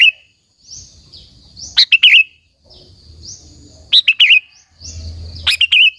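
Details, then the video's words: Lively song of a Sooty-headed bulbul meant to rouse other bulbuls into singing. Three bright, gurgling phrases, each a rapid cluster of fluty notes, spaced about two seconds apart, with soft low background noise. "Suara Burung KUTILANG GACOR, Burung Kutilang Lain Emosi dan Ikut Gacor Ampuh untuk Suara Panggilan"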